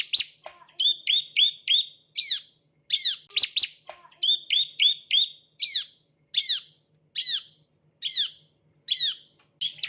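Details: Bar-winged prinia chirping, a lure for training birds. Short clusters of flat high notes alternate with loud, down-curving chirps, and spaced single chirps repeat about every second toward the end.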